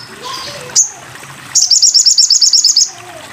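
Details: Sogon bird, recorded as a tutor track for training cage birds: one sharp high note, then a rapid trill of about fourteen bright, high, evenly spaced notes, with soft background hiss.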